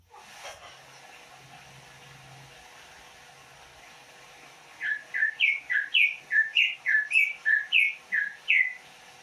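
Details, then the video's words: ['Over a steady background hiss, a Banyuwangi greater green leafbird repeats a short, clear two-part whistled note about twice a second, each dipping then rising, in an even rhythmic series.'] "Suara khas cucak ijo Banyuwangi"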